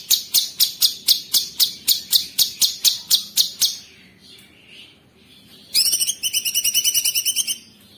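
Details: Sooty-headed bulbul (cucak cungkok) in 'tembakan kristal' song. About fifteen sharp, evenly spaced high chips come at roughly four per second, then a quiet gap, then a short dense buzzing trill near the end.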